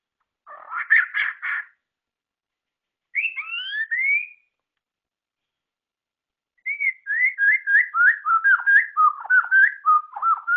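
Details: Murai batu song, the White-rumped Shama favoured by bird-song hobbyists: a burst of rapid rough notes, two rising whistled slurs, then a long, quick series of dipping whistled notes repeated about three times a second.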